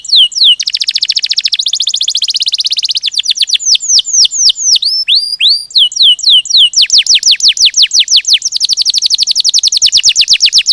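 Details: Canary in full ngerol gacor song: a rapid trill, a run of sweeping slurred whistles, then more fast rolling trills at changing pitches, loud and continuous.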